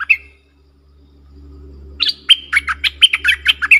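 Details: A pair of streak-eared bulbuls in a heated singing duel on 30 October 2021: one short chirp, a pause, then a fast burst of bright, bubbly notes, about four a second, over a low hum.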